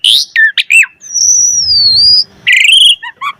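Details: Asian pied starling singing a varied 'full isian' lure to set other starlings singing: a few sharp whistled notes, a long thin wavering whistle lasting over a second, then a rich harmonic phrase and short chirps.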